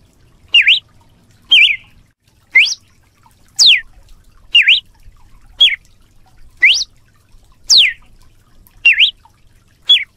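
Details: Red-cowled cardinal singing a lot, canto de açoite style: ten clear, loud whistled notes, each a quick rising or falling slur, delivered steadily about once per second with silence between.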